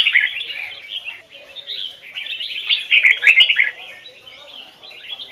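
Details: Red-whiskered bulbul from the Hoài Sơn forest, kept as a trained singing bird, giving standard-voice double-note song: rich warbled phrases of fast, slurred whistles, rising and falling, in steady bursts with soft background chatter.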